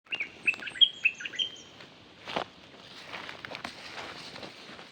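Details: Bird decoy calling: a short burst of clear chirped and whistled notes in the first two seconds, followed by a soft thump and faint background rustle and distant chatter.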